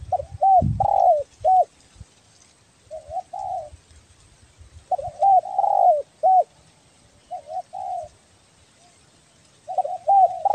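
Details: Spotted dove of the tekukur belah dada type from Kepri, calling vigorously in a recording meant for luring: mellow, mid-pitched coos in bursts of two to three notes, some rising then dropping, with pauses of a second or more between phrases.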